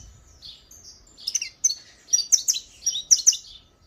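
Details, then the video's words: Saffron finch in disparador song, starting with soft, thin notes that build into rapid pairs and triplets of loud, high, sharp chirps. "CANÁRIO TARZAN DISPARADOR"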